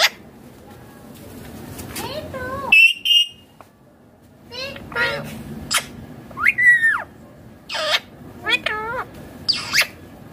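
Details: Indian ringneck parakeet, a green pet parrot, giving natural calls and voices: loud rising and falling harmonic squawks and short chirps in separate bursts, with quiet pauses between and a low indoor hum.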